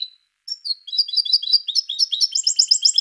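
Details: Parva subspecies of European goldfinch delivering a rapid, continuous twitter after a thin opening whistle, with bright chirps and jingling trills running together and climbing toward the end.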